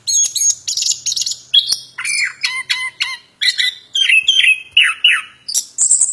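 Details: Plontang bird singing vigorously: loud harsh squawks and buzzy chirps, then a run of short downslurred notes repeated roughly every half second, ending in a high thin whistle; a faint low hum underneath.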